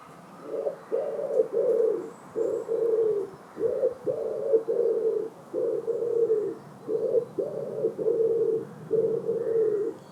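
A Common Wood Pigeon gives low, gruff coos, about five husky notes to a phrase with brief gaps, repeated steadily in the same rhythm.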